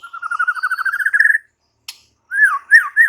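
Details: White-rumped shama singing: a rapid trill climbing gradually in pitch, a single sharp click, then three clear slurred whistles that rise and fall.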